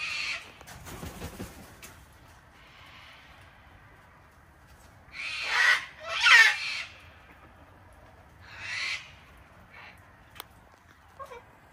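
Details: Wild cockatoos in a flock visiting an Australian home deck to be hand-fed on a cold, wet winter day; two loud harsh screeches close together midway, another a few seconds later, with quieter squawks between.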